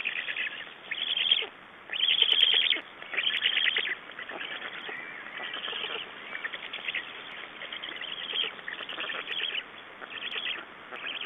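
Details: Black storks at a nest in Estonia, 6 June 2011, exchange and feeding: loud pulsed rasping bursts at first, then softer, scattered raspy calls continuing at lower volume.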